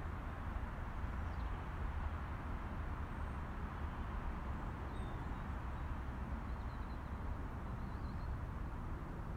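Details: Steady low traffic rumble fills the whole recording, with no animal voice standing out.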